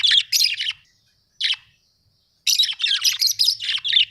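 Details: Budgerigars kept as house pets: a burst of raspy chirps, a lone call after a silence, then a long stretch of busy, scratchy warbling chatter.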